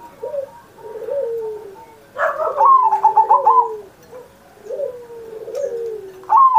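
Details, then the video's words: Zebra dove singing, a 'manggung' master recording made on Indonesia's 79th Independence Day to stimulate other pet doves to sing. Soft low coos, then a loud burst of rapid stuttering higher notes, with a second burst starting at the end. "Perkutut Masteran Manggung Gacor Mancing Burung Lain"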